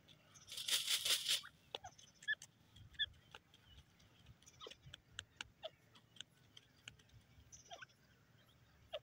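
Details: Grey francolin (teetar) calling: a loud, harsh burst of rapid repeated notes lasting about a second near the start, then scattered sharp clicks and short chirps over a quiet background.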